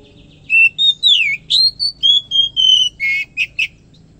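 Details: Lively Oriental magpie-robin, known locally as kacer, in morning song: a string of bright whistled notes, steady or gliding down, followed by a harsh grating note and two quick sharp chips; soft low hum behind.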